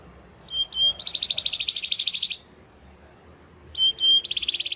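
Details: Belgian canary delivering 'estralando' song in two bouts: two short whistled notes lead into a fast, high, pulsing trill, a pause, then the same pattern starting again.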